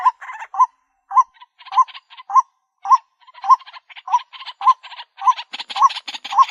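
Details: White-breasted Waterhen call recorded for luring birds in. Clear, hooked mid-pitched notes repeat steadily about every half second with short chattering bursts between them. The calling grows denser and harsher near the end.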